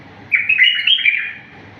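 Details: Wild-type bulbul singing a clean, fault-free phrase meant for training other bulbuls; a rich, rapid run of liquid whistled notes lasting about a second, bright and sweet, with a quiet steady hum underneath.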